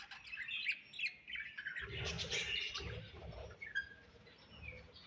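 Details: Budgerigars chirping: scattered short bright chirps and squeaky notes over a low rumbling background, louder in the middle and fading toward the end.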